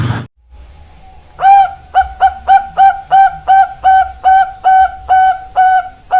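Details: Zebra dove, local and Bangkok-type birds, cooing: after a short click, a steady series of about twelve identical hollow, resonant coos, roughly two per second, strongly harmonic and evenly spaced, in a quiet setting.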